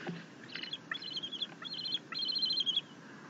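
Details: A happy bald eagle eaglet fed a fish by its mother, 6.9.21. Several short, thin chittering bursts, then a longer trilled run of high, rapidly pulsed notes.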